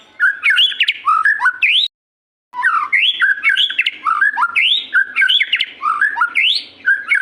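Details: White-rumped shama singing 'gacor': a dense, continuous stream of loud, varied whistles, upward sweeps and chirps, broken by one brief silence before the rich phrasing resumes.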